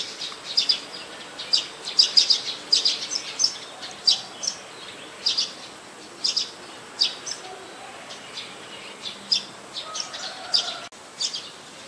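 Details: Streak-eared bulbul in Ubon Ratchathani, Thailand, 4 February 2020: a busy run of brief high chirps and clipped notes, dense at first and then spaced about half a second to a second apart, with faint lower background sounds.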